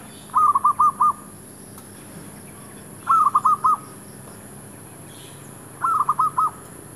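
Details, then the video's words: Zebra dove being lured with a decoy bird near a shop area, calling in three clear phrases of about four to five quick rhythmic cooing notes each, repeated roughly every three seconds over a steady background hum. "MEMIKATMERBUK / PERKUTUT DI KAWASAN KEDAI"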